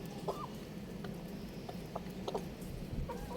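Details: Young rooster playing on a roof, giving faint, short arched chirps: one near the start, a few quick thin peeps in the middle and another pair at the end, over a steady low background rumble.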